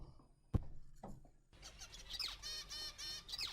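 Zebra finch song, played quietly: a run of buzzy, nasal syllables with short rising sweeps, after a second of near-silence broken by a few clicks.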